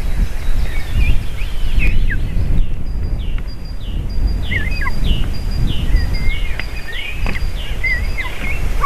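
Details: Female eagle and crying eaglets at the nest during a feeding, June 2023; repeated high squealing and chittering notes, many short downslurs, with a steady thin tone repeating above and deep background rumble.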